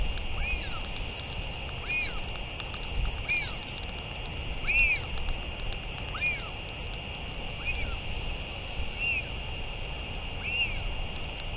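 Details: Northern royal albatross recorded 31 May 2023 during a return and feeding, giving short arched squeaky calls repeated about every second over a steady high hum and low rumbling background noise.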